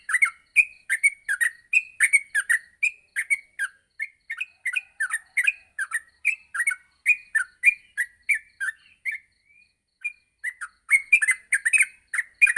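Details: Yellow-vented bulbul in the morning, singing as a training example for other bulbuls; a long stream of chattering, warbled notes, briefly thinning to a few soft whistles before resuming at full strength.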